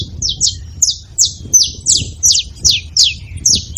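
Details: Saffron finch calling at a feeding site: high, clipped chirps that slide downward, given fairly steadily about every third of a second, over a muffled low hum.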